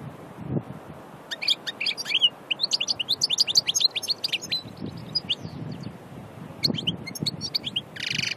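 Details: Wild European goldfinch, called maknine locally, from Aïn Barbar near Annaba, singing a fast, high twittering run of sharp chirps and tinkling notes in the middle stretch, with a brief buzzy phrase near the end and low rumbling noise underneath.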